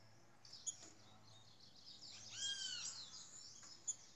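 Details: Rufous-bellied thrush, a Brazilian trinca-ferro in the Ginga Brasil song style, giving a short, rich phrase of high whistled and slurred notes with a clear downward-curving note midway, over steady low hum.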